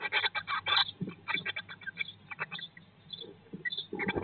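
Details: Eurasian blue tit nest box, day 19 after hatching, May 2022 broadcast; fast runs of sharp, scratchy notes, about two per second, fading to near quiet midway before picking up again with a muffled thump.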